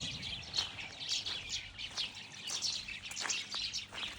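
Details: Birds chirping outdoors: short, bright high-pitched chirps and tweets in quick irregular bursts, several overlapping, over faint low background rumble.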